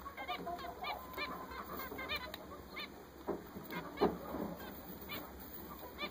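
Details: Newly bought zebra finches, several together, calling with quick nasal, trumpet-like beeps in irregular bursts, some louder knocks and a constant high-pitched hum behind them.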